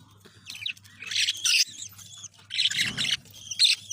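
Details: Green budgerigar chicks give harsh, raspy chattering squawks in quick, overlapping bursts.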